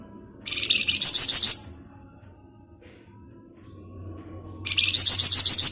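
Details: Flamboyan bird giving ngebren song. Two bursts of fast, sharp, ringing chatter are separated by about three seconds of near quiet. A low hum sits underneath.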